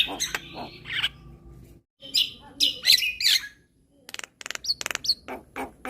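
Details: Chattering song of a Javan myna, played as therapy for stressed mynas: buzzy and nasal notes, a brief pause, then bursts of harsh squawks and quick sharp whistled chips.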